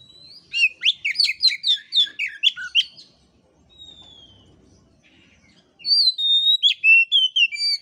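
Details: Oriental magpie-robin recorded to stimulate other birds: a lively burst of a dozen rapid sweeping chirps, a quiet spell with a soft whistle, then another phrase of loud clear whistles and chirps.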